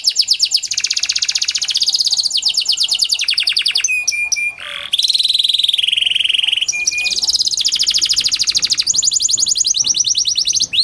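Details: Continuous Panda canary song, meant to prompt lazy canaries to sing: long rapid trills alternate with short whistled tones and a mid-pitched buzzy phrase before more fast trilling.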